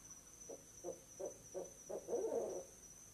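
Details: Mated pair of barred owls at an owl box on an evening in November 2008, 6 pm, hooting together to claim the nest spot; a run of short, low hoots about every third of a second builds into a louder, blended burst.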